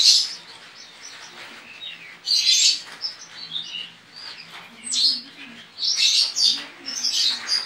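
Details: Javan white-eye (pleci) kept in a cage in Pontianak, West Kalimantan, Indonesia, singing for an online bird competition; high, busy twitter of slurred whistles with repeated loud bright bursts every second or two.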